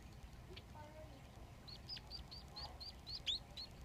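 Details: Society finch chicks in a nest, three young being fed by their father. A brief low voice is followed by a quick run of thin, high, upward-hooked chirps, getting louder toward the end.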